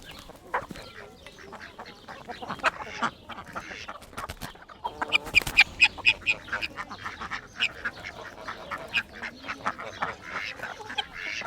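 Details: Hens in an outdoor coop cluck in quick, uneven bursts, roughly two a second, with sharp high notes and a denser run of overlapping clucks in the second half over a steady low farmyard murmur.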